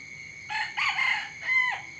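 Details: Rooster crowing in the morning: a harsh, harmonic cock-a-doodle-doo in three strained bursts with a falling end, over a steady high hum.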